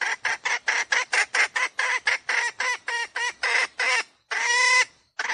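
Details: Decoy hen calling to lure wild roosters for trapping: a steady series of loud, harsh clucks, about one per third of a second, ending in a longer drawn-out squawk.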